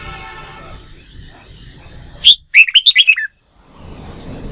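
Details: Wild-caught red-whiskered bulbul trained for singing contests delivers a short burst of bright, warbling whistled notes in quick succession, framed by low rumbling background noise before and after.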